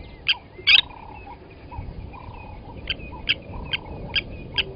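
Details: Blacksmith lapwing at Gowrie dam, Sabi Sand Wildtuin, South Africa, at 07:47 during an adult's killing of a chick from the nest; a few hard clinking notes, one loud doubled, with faint lower bird whistles between.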